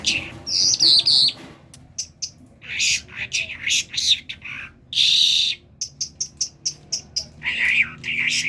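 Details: Kerman talking myna opens with warbled high whistles, then harsh chattering notes, a loud whistle, and a quick sequence of clipped ticks.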